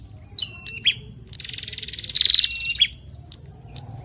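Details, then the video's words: Bar-winged prinia pair, male and female, trading calls: two short piercing whistles, then a dense buzzy trill that ends in a rapid ticking series, and a final sharp note. "Prenjak Jantan dan Betina Sahut-sahutan Gacor"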